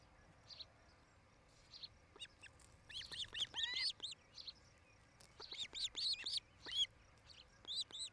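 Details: Near Charlo, Montana, a nesting osprey gives clustered high, curling whistled chirps in two bursts over steady background hiss. Nest cam, 07-08-2018, between 17:00 and 18:00.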